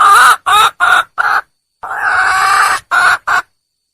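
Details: Wild red junglefowl hen calling out to find a male: a series of short harsh squawking notes, then a longer raspy drawn note, followed by two more brief squawks.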